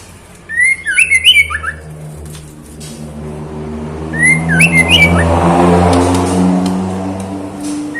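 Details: Female white-rumped shama calling to the male with two quick bursts of jerky whistled notes, while a vehicle engine rumbles and swells through the second half.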